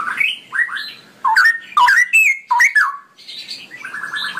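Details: Cucak rowo (straw-headed bulbul) singing a ropelan phrase: loud, liquid whistled swoops in a rapid tumbling series, ending with a quicker run of even, softer repeated notes.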